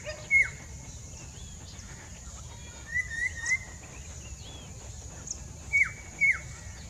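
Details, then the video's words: Ringed Collared Palm-Thrush singing near Mida Creek: a loud slurred whistle, then a rapid run of three whistled notes, then two more dropping slurs, with high faint chirps and steady background hiss. "Collared Palm-Thrush singing"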